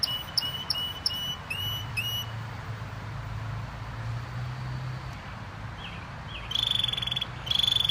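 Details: Canary singing: a few bright chirped notes with ringing overtones open the clip, a quieter stretch follows over a low hum, then short sharp trilled bursts return near the end.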